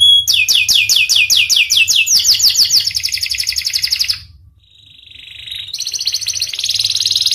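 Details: Panda canary singing vigorously: fast rows of sweeping chirps repeated a few times a second, then a steady high buzzy trill. A brief quiet dip follows before another rapid rolling trill.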